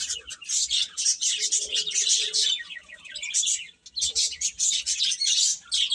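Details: Baby chickens chirping: a crowd of high, shrill peeps overlapping in dense bursts, with a brief lull near the middle before the chorus resumes.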